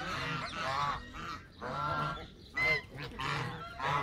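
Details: Canada geese calling with loud nasal honks in bursts of about half a second to a second, separated by short gaps, with a sharper higher honk near the middle.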